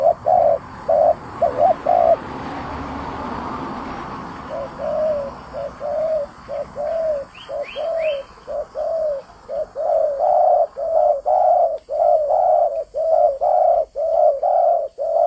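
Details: Spotted dove singing actively. It gives low, hollow cooing phrases, with a short note followed by a longer drawn-out coo. The phrases repeat about once a second and grow steadier and louder toward the end, with a brief higher chirp midway.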